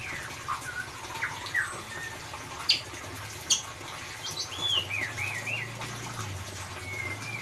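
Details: Ngeriwik-style song of a white-rumped shama, meant as a lure for a silent bird: scattered short whistles and sharp clicks, then a run of looping, rising and falling whistled notes, with constant hiss behind.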